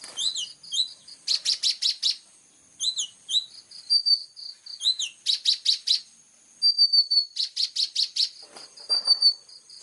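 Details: Sharp 'full tembakan' song of an actively singing plain-throated sunbird, used as tutor material: quick downslurred notes, dense bursts of high chirps and thin level whistles, repeating in phrases of a few seconds.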